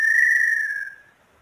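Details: A pure, sustained whistle from a small-billed tinamou, held level and then sliding slightly down as it fades after roughly one second.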